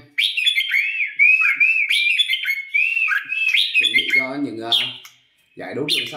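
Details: Red-whiskered bulbul trained for competition singing gives several seconds of rich, undulating whistled phrases before a man starts speaking over the end of the recording.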